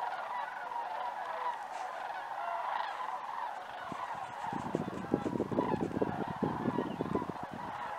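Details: Migrating sandhill cranes over Idaho, a dense overlapping chorus of rattling, honking calls throughout, joined in the second half by loud low rumbling and knocking noise.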